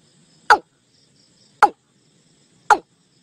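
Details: A watercock call played to lure a flock into a net: three sharp, abrupt notes that sweep quickly downward, spaced just over a second apart against a quiet background.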